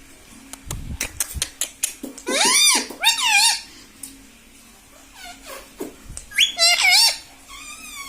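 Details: Pet talking parrot indoors producing squeaky, warbling mimicked phrases in bursts, rising and falling, with clicks and tapping between them.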